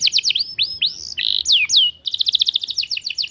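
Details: Young canary's lure song for prompting other canaries: quick high chips, curved whistled swoops, a short buzzy note, then a bright rapid trill repeated about eight times a second.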